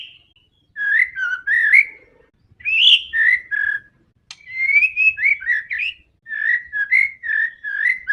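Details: Singing white-rumped shama, described as very fierce and combative, used to provoke other shamas into singing. Loud clear whistled phrases around mid pitch, rising and falling notes in bursts separated by short pauses.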